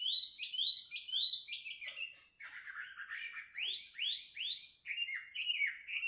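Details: Bird singing at midnight: repeated rising whistled notes in short series, then a rougher buzzy patch, followed by louder upward sweeps and lower twittering, with a faint continuous high tone.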